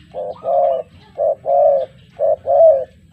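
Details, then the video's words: Three loud, close paired coos from a spotted dove used as a lure against a newly trained bird: each pair a short low note followed by a longer, steady, slightly buzzy note, about one pair per second. "TEKUKUR PIKAT VS TEKUKUR AJARAN BARU"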